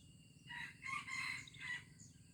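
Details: Junglefowl from Aceh, recorded 25 April 2020, crowing in a hoarse, broken phrase of three or four rasping segments, with a constant high insect hum behind it.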